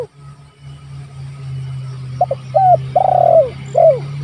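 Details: Spotted dove calling rivals, used for luring and training: over a steady low hum, short double notes, a rising coo, a long pulsed falling coo and a last downward coo.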